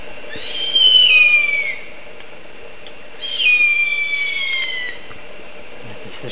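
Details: Harpy eagle, a very large tropical forest raptor, giving very loud calls: long, high, wailing whistles that slur downward, each about a second long, two of them a few seconds apart over a low steady hum.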